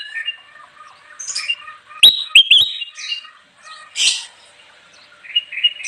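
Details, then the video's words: Bulbul song used to lure wild birds: scattered whistled phrases and chirps with a few sharp clicks and a harsher squawky note, uneven in rhythm, separated by short pauses. "suara burung kutilang emas gacor cocok banget buat pikat"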